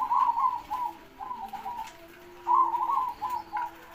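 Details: Zebra dove (perkutut) singing actively with a big voice: short bubbling cooing phrases that break off and resume, with a faint lower hum beneath and light background noise.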